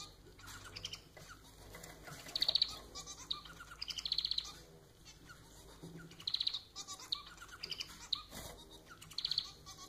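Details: Domestic society finch kept as a pet, song of several repeated phrases, each a quick run of high buzzy clicks and rattles, returning about every two seconds against a faint background hum.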